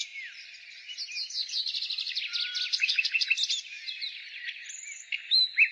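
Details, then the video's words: Nightingale song in spring: a quiet start builds into a rapid run of repeated buzzy notes lasting a few seconds, followed by a pause and loud abrupt whistled phrases at the end. "Nightingale singing Spring relaxation The singing of the nightingale"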